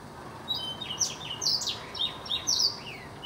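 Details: Blackthroat singing a lively sequence of high, thin notes, some steady and some dropping sharply, with a softer, lower slurred whistle trailing off near the end.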